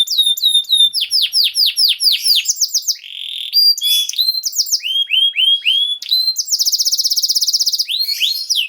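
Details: Song of a canary, played to teach young canaries to sing: series of repeated swooping notes, several changes of phrase, a long steady whistle, then a fast buzzy high trill and closing upward-sweeping chirps.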